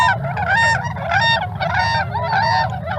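Tundra Swans calling as a flock: overlapping high, mellow, yelping whoops, about three notes every two seconds, over a low steady hum.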